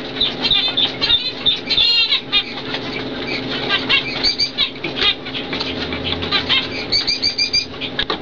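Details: Normal cock and fawn hen zebra finches, bred 2012: bursts of nasal, harmonic chirping and quick buzzy song phrases over a faint low hum, with a short quieter stretch midway.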